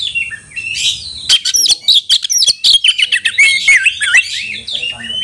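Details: Kacer, the Oriental magpie-robin, calling a rival to fight: rising whistles then a fast dense series of sharp clicks, squeaks and looping whistled notes.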